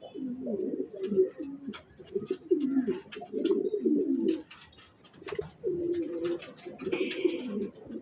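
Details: Racing pigeons keep up a dense, bubbling cooing chorus with short breaks, accompanied by scattered sharp clicks and a brief hiss.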